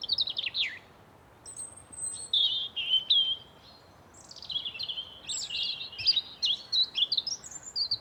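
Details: Forest birds call in bright, high twittering runs and thin whistled notes, alternating with brief pauses, over quiet ambient hiss.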